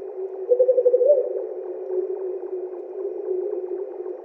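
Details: Southern white-faced owl (Ptilopsis granti) calling at night, heard on a night drive in Kruger: a quick, low stuttering trill of about seven hooted notes ending in a slightly longer, rising hoot, over a steady low hum.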